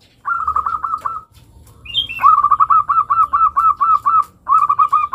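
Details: Local zebra dove giving long cooing song meant to lure young doves into singing: a short trilled phrase, a brief higher note, then a steady string of rapid, evenly pulsed coos over three seconds.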